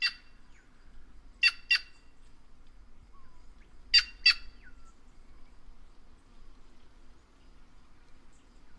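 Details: White-naped jay (Cyanocorax cyanopogon) voicing short grating notes in pairs: a lone note opens, then two doubled calls roughly two and a half seconds apart, with a faint soft whistle between them.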